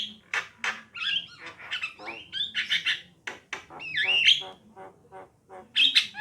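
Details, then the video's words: Male and female Javan mynas chatter and whistle, mixing dry clicking notes, buzzy bursts and a twisting whistled phrase, with brief gaps between the uneven phrases. "suara kicauan jalak kebo betina dan jalak kebo jantan"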